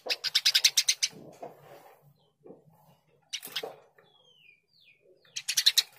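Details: Burung gereja, the Eurasian tree sparrow (Passer montanus), in energetic gacor chirping for a training recording: a quick burst of sharp chirps, quiet scattered notes, then a second burst, with a faint falling whistle between.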